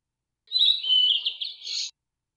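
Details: Blue-and-white flycatcher delivering one song phrase: a high clear whistle sliding into a quick run of downward-slurred notes, finishing with a brief higher buzzy flourish; no other sounds.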